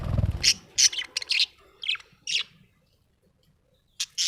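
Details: Happy budgie chirping in a series of short, sharp, high chirps spaced irregularly, a pause, then two more quick chirps, with a soft low thump at the start.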